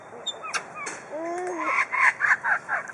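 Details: Superb lyrebird at Adelaide Zoo, Australia, in captivity, copying other birds and tool sounds: scattered short whistles and a low drawn-out wavering note, followed by a row of harsh chattering bursts.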